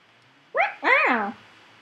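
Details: Three-year-old male Indian ringneck parakeet, a pet that talks constantly, indoors; two voice-like harmonic syllables, the second longer, rising then falling, like "wow wow", in a quiet room.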